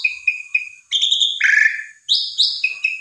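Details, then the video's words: Asian pied starling song for provoking another starling: three repeated short whistled notes, then a steady tone, a lower buzzy burst, and rising high whistles. "Jalak Suren Macet !! Coba Pancing Dengan Jalak Suren Ini !! Respon Ngotot Gacor Isian Komplit"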